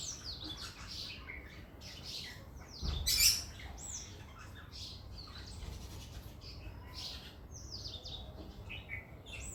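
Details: A pair of tailorbirds inside a house: a steady scatter of high, thin chirps and short tweets, some sliding up or down, continuing throughout, with a brief loud clatter around the third second over low background hum.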